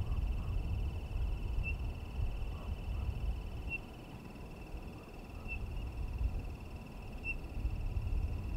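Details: Townsend's solitaire giving brief, piping, whistled chirps, four evenly pitched notes spaced roughly two seconds apart, against persistent low background rumble and a thin steady tone.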